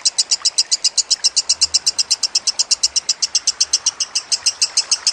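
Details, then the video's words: Lovebird masteran: a quick, unbroken string of piercing high chirps, about four per second, steady in pitch and loudness throughout. "Masteran Lovebird"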